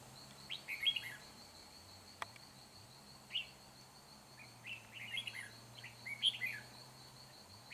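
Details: Red-whiskered bulbul used as a decoy bird in trapping, recorded on 4 April 2021, gives short, bright, chirpy whistled phrases in scattered bursts over a steady high insect-like whine and low hum.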